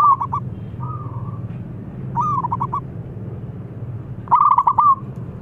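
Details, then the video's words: Local wild zebra dove with a big voice, used as a lure bird, gives three cooing phrases about two seconds apart, each a soft mid-pitched note running into quick staccato coos, over a low steady hum. "Perkutut Lokal Alam Suara Besar Ampuh Buat Pancingan"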